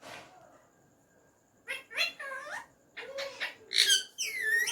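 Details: Hand-tame talking ringneck parrot uttering "Mian Mithu" in Urdu/Hindi: a quick run of speech-like syllables with bending tones after a quiet start, ending in louder rising chatter, indoors.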